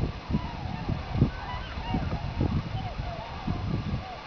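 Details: Several trumpeter swans in a field at the Long Point World Biosphere Site give deep, nasal, horn-like honks, overlapping irregularly about once a second, over a steady low rumble of background noise.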